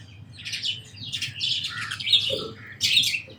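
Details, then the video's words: Sparrows chirp in quick, irregular bursts of bright, high notes, roughly one every second, with a faint low hum beneath. "Birds & Sparrows Sounds"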